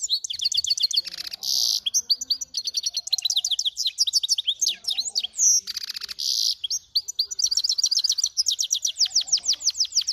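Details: Dense, continuous finch × canary hybrid song: rapid rolling trills and sharp high chirps delivered almost without pause, interrupted by two brief harsh hissing noise bursts.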